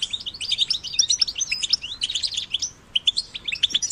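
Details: European goldfinch chicks twittering rapidly in a cage and in nature, with a tumbling stream of high, liquid chirps and short slurred whistles, briefly pausing before resuming.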